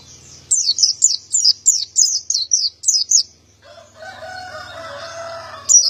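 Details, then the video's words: Male white-eye in full song, a clear-voiced wild-type singer. It gives a run of about nine high, downward-sweeping chirps, evenly spaced. A lower, warbling, harmonic sound from another bird follows. "Burung pleci gacor jantan"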